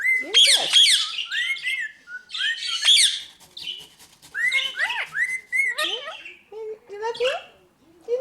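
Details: A pet cockatoo joins a ringneck parrot and a cockatiel in breakfast chatter while the owners prepare their food, giving a quick run of bright whistles, rising and falling squeaks and harsher bursts, with brief pauses between phrases.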